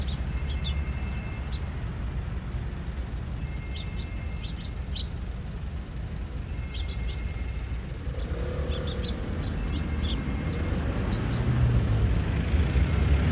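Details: Sparrows recorded on 8 April 2022, chirping noisily. Short, sharp, high chirps come in small bursts every second or two, under a heavy low rumble of traffic or wind that grows louder near the end.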